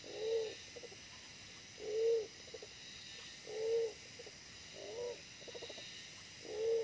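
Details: Wild pigeon drawn in by a decoy, small but aggressive, giving five low steady coos roughly every one and a half seconds, each followed by a brief burst of soft rapid pulses.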